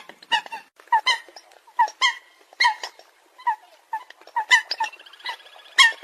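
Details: Coot giving sharp, clipped honks, singly or in pairs, about once a second, with brief squeaky notes between and quiet gaps.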